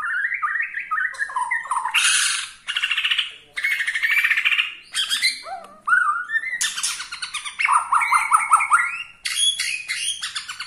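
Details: White-rumped shama, Borneo style, delivering a song meant to rile other shamas: rapid rising note strings, harsh buzzy rasps, fluty slurs and chattering trills mixed in a long varied stream.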